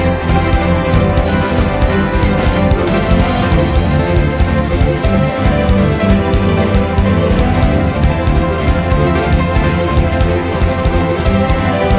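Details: Steady, bass-heavy instrumental background music fills the whole stretch, with no animal calls to be heard.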